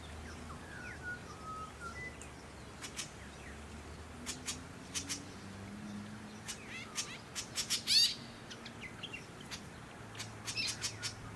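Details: White-breasted woodswallow (Artamus leucorynchus) on the Sunshine Coast, Queensland, in January 2021, giving scattered harsh, scratchy chirps in quick bursts, loudest near the eighth second, with faint whistled notes from other birds in the background.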